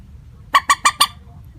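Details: Common moorhen call used to lure birds for netting: one burst of four evenly spaced, harsh, clipped notes without tonal change, above quiet low background noise.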